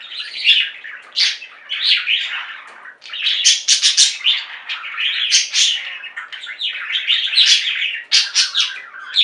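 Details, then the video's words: A flock of pet budgerigars kept indoors sings and chirps nonstop, with harsh squawky notes and high clicky chirps woven into a continuous warbling chatter, briefly dipping near the middle. "Most Beautiful Budgie songs Ever: Budgies singing and chirping"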